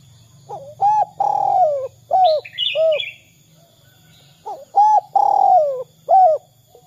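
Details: Lure call of a spotted dove meant to set other doves calling: two series of mellow coos, each with a long falling middle note and short notes around it, with a brief high chirping from another bird between them and a low background hum.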